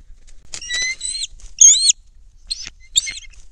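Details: Bald eagles at their nest high in a loblolly pine near the Kincaid Lake shore, Kisatchie National Forest, Louisiana, dated 12-19: high whistled notes with a rising, sliding shape, given in short bursts with brief pauses between them.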